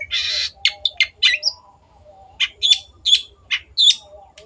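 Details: Long-tailed shrike in lively, vigorous song, offered as a masteran training recording for other shrikes. A long raspy burst opens, then harsh, scratchy chattering notes come in short bursts, with faint soft warbling lower tones underneath.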